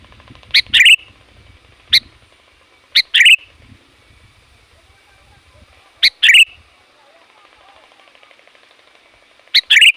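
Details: Sooty-headed bulbul calling nonstop to draw in wild bulbuls: loud bubbly chirp-and-warble phrases and single short chirps, irregularly spaced across the stretch, with faint low background sounds.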